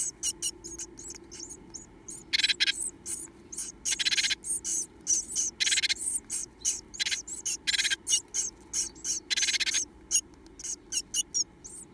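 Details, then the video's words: Inside a nest box, two Japanese tit nestlings beg for food with gaping mouths: fast high chittering cheeps interrupted by several loud, harsh, buzzy rasping bursts of about half a second each. "残された2羽のヒナちゃん 元気に口を開けておねだり"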